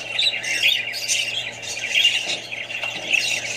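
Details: Australian budgies kept with other birds and young, giving dense, overlapping high chirps and squawky warbling that runs without pause, with a steady low electrical hum beneath.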